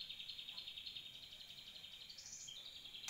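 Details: Grey-cheeked Bulbul recorded in 2020 for tutoring other birds. A soft, fast, even trill of buzzy notes runs throughout, rising briefly near the end, over a steady background hiss.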